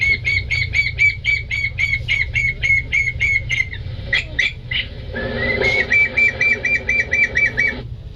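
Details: Loon chick (loonling) giving its distress call, which draws adults and family groups in when played at night: thin, high peeps repeated about four times a second in two quick runs, with a short scuffing break between them.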